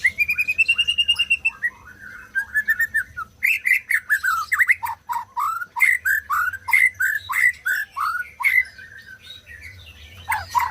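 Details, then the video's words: {'caption': 'White-rumped shama singing, meant to prompt silent birds into song: a rising whistled trill opens, followed by a rich, varied stream of quick downslurred whistles mixed with clicking notes.'} "SUARA MURAI BATU BUAT BURUNG MACET BUNYI"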